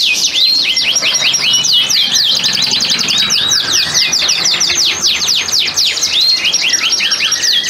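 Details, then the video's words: Breeding-condition canaries in a cage collection, singing to stimulate females: loud, continuous high chattering song of rapid repeated sweeping notes and trills, several birds overlapping without pause. "Pancingan Kenari Gacor, Betina Langsung Ngleper, Kenari BUNYI BIRAHI Ngerek"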